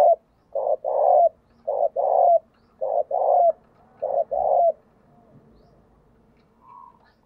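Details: Spotted dove decoy bird giving hard-driven 'thổ'-style cooing. Rapid phrases come just over a second apart, each a quick double note and a sustained low coo. A faint higher sound follows near the end.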